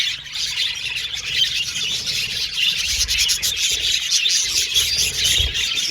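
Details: Budgerigars chirping and communicating with each other in a steady, busy chorus of high scratchy twitters and quick chirps, about two notes per second standing out, with scattered clicks and a soft low background hum.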